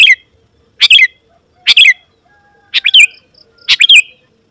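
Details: Lively Sooty-headed bulbul song used to call wild rivals; five short chirping phrases spaced about a second apart, each a quick rising-falling cluster of notes.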